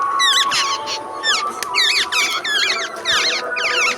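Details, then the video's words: Jungle babbler, called the seven brothers bird locally, giving squeaky, chattering calls: rapid bursts of sharply bending, wavering high chirps, repeated in clusters throughout, over a steady faint background hum. "সাত ভাই পাখির ভিডিও"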